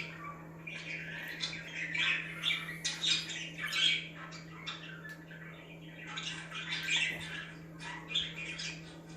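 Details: Lively budgie chirping meant to make other budgies active, quick runs of raspy chirps and high squeaks in clustered bursts, easing off toward the end over a faint hum.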